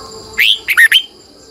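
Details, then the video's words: Morning song of a Red-whiskered bulbul kept as a lure bird, long twisting double voice; a rising whistle followed by three fast bubbling notes, over a faint constant high whine. "Luyện chào mào hót sáng 2020, Giọng kép xoắn dài hót căng, Chào mào mồi gọi bổi hót hay"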